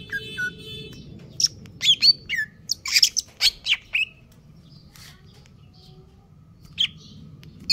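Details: Greater green leafbird, a caged bird in stable condition, singing a rapid aggressive sequence of sharp, varied whistled and harsh notes in a dense burst, then quieter with a few isolated chips.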